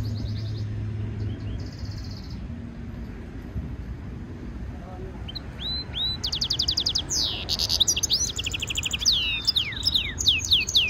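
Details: A European goldfinch mule, a hybrid, sings a training stimulation song: a quiet brief trill, a lull, then a loud lively stretch of upslurred notes, rapid rattling trills and slurred whistles.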